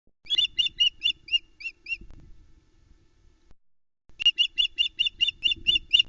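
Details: At the Loch Arkaig osprey nest on 21 May 2020, around noon as the male brings the hungry female her first fish of the day, an osprey gives two runs of sharp, high whistled chirps, about four per second, eight notes then eleven after a pause; faint low rumble underneath.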